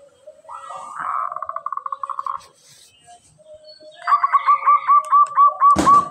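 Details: Local zebra dove singing energetically and very clearly: a soft buzzy coo breaks into a quick run of beating notes, then after a pause a series of hooked, bubbling coos about twice a second, ending with a sharp click.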